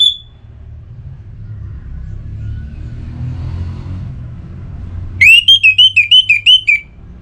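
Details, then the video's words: A kept orange-headed thrush from Singaraja, North Bali, is in breeding condition and calling a rival. A brief high whistle is followed by a long hush with faint background rumble, then a rapid run of about eight loud, buzzy whistled notes. "ANIS MERAH Gacor Pancingan Birahi & EMosi Burung || Kicau memanggil lawan"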